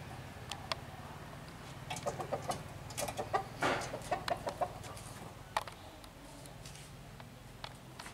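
A Kalij pheasant gives a loose run of short, dry clucks and clicks at an uneven pace over a steady low hum.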